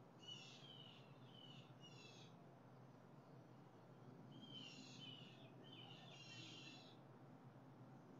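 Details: Harsh, grating calls from blue jays, July 7, 2020, come in two groups of rapid repeated rasps, several notes each, separated by a quiet gap, over continuous low-pitched background noise.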